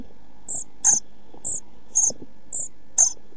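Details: Pied flycatcher chicks, 11-12 days old and close to fledging, in a nest box on 29 June 2013: thin, very high hissing notes repeated about once a second, alternating with short broadband scratchy bursts from movement in the box.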